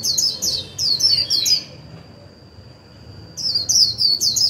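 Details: White-eye used as a lure, singing 'líu' to draw wild birds into song: a dense string of high, quickly repeated, downward-sliding chirps, a short gap, then the twittering resumes.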